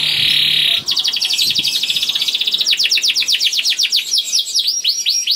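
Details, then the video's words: A young (paud) canary sings a rapid, high run, used as a lure to get canaries singing: a steady buzzy trill, then fast repeated chirps and swooping notes about four per second. "KENARI GACOR DOR NGEDUR NGOTOT CUIT CUIT NGEROL AMPUH PANCINGAN KENARI"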